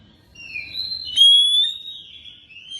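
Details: Magpie-robin song used to prompt another magpie-robin to sing: a soft whistled phrase, then a bright rising whistle that sustains and slowly falls, with a faint low hum underneath.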